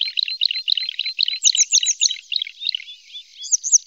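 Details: Red-spotted bluethroat of a breeding pair with young in Norway, giving a fast run of repeated chirping phrases, several per second, ending in high ringing slurred notes.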